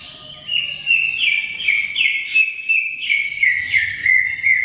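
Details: Greater green leafbird in long, lively song for coaxing a silent bird to sing: rapid chattering run of high, bright whistled notes, each dipping and rising, repeated about three per second without pause.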